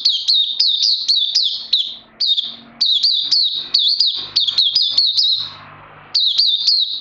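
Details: A kept oriental white-eye on day 2 of a health-supplement course, 31 May 2020, sings rapid bursts of high, thin, sliding chirps, several per second, broken by short pauses; nothing else is heard.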